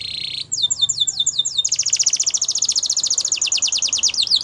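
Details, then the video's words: Training song from a yellow canary, opening with a buzzy trill, then quick repeated downward-sweeping chirps about six per second, merging into a long rapid high rattle of even notes. "Yellow Canary Singing | The Best Canary Training Song"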